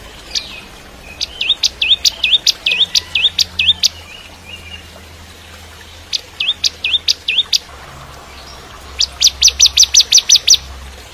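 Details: Bar-winged prinia, 'kristal' type, in full active song as a tutor recording for shamas: three bursts of rapid, high, sharply rising notes, about eight to ten per burst, the last a fast even rattle, with quiet low hum between.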